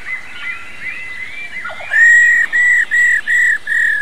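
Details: Calling female black-throated laughingthrush, its "ro" notes meant to stimulate males. Faint wavering whistles give way to five loud level buzzy notes in a rapid even series over a steady hiss.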